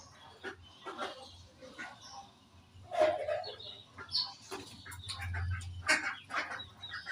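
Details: Morning budgerigar chirping from pet birds, with scattered sharp calls and squeaky notes, a few louder bursts, and some soft fluttering and low hum between them.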